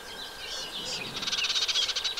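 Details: Eurasian reed warbler at a 2023 nest site, singing in a wet meadow beside the Vilaine above the Arzal dam, Brittany, on 15 June 2023: a few scratchy warbled notes, then a fast, even run of high, dry chirrups, with faint hiss.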